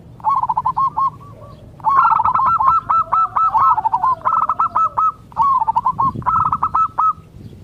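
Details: Zebra dove of a local strain sings to make other zebra doves answer: long run of overlapping, rapid, bubbling coo phrases, almost continuous, with repeated stuttering bursts.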